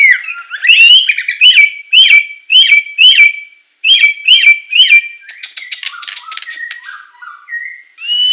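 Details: Medan-type white-rumped shama in full tembakan song, loud and close: a string of sharp rising whistled notes, each with a click, repeated about every half second, then a buzzy trill and clear whistles.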